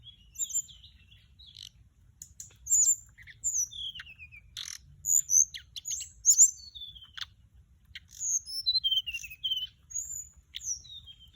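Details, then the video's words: Song of a Mugimaki Flycatcher used to lure birds: a long sequence of high thin downslurred whistles and chips in loose, uneven phrases, with brief sharp ticks. "เสียงต่อ นกจับแมลงอกส้มท้องขาว"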